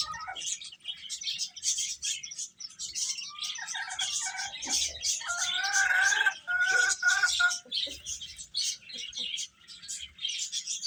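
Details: Chicks eating and peeping constantly, a busy mix of sharp high chirps, with louder, slightly lower tonal calls building around the middle before settling back to dense cheeping.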